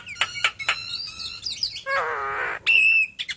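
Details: A yellow-eyed Javan myna delivering part of its repertoire of learned phrases: a few sharp chips, a soft warble, a long harsh buzz and a steady high whistled note.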